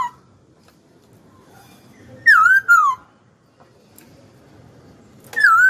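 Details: Hwamei kept as a songbird, delivering two loud whistled bursts several seconds apart. Each burst has slurred, wavering notes gliding downward, separated by quiet room tone.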